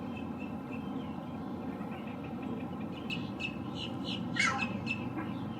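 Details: Male Green Heron calling while perched gives one harsh, abrupt "kyow" squawk near the end, amid a series of short high chirps and a steady low rumble; this call is heard through the breeding season.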